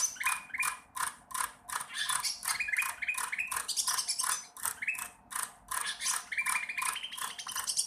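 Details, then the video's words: Sooty-headed bulbul still learning to sing, delivering a long rattling stream of short notes with stepped, rising elements, steady and chattery throughout. "cucak ranting trotol belajar bunyi"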